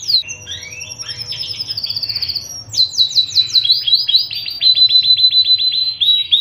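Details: Panda canary singing tutor song for young birds and lazy singers; swooping whistled phrases, then fast repeated descending notes settling into an even high trill.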